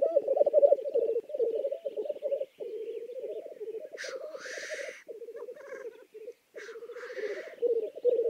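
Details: Black grouse from Lithuania giving a continuous low, throbbing bubbling coo, rolling on almost without pause, interrupted twice by loud rasping hissed sneezes.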